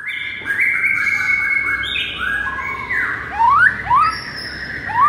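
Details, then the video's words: White-rumped shama song used as a training recording to rouse listless shamas: long clear whistled notes at shifting pitches, then several quick rising whistled sweeps near the end. "MASTERAN EFEKTIF untuk Pikat Murai LOYO seketika langsung NGAMUK"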